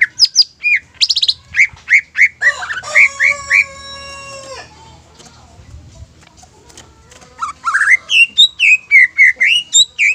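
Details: Greater green leafbird singing a provoking song meant to excite rival leafbirds into song. Quick, ringing whistled notes open the clip, then a sustained harmonic drone, then fast, sweeping, slurred whistles.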